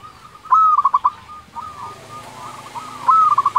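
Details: Zebra dove, local bird, delivering its fluting 'nyuling' song: two clear phrases about two and a half seconds apart, long whistle then rapid clipped notes, faint coos and light hiss behind.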